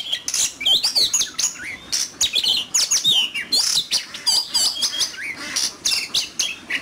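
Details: Oriental magpie-robin in competitive duel singing. It delivers a loud, rich, fast stream of varied whistles, sharp upslurred and downslurred notes and buzzy trills, with brief pauses between phrases.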